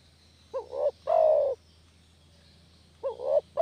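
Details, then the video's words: Lure call of a spotted dove for catching doves. It is a two-part coo, with a quick wavering upslurred note and then a longer, rounder, descending note. The phrase repeats after about two and a half seconds, and the final one is cut short. "SUARA MASTER PIKAT DERKUKU KAMPUNG..!!"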